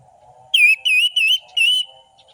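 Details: Orange-headed thrush song, played to stimulate a passive or lazy bird into singing. Four loud, clear whistled notes with a wavering, slurred pitch come in quick succession, the last drawn out and fading, over a faint low hum.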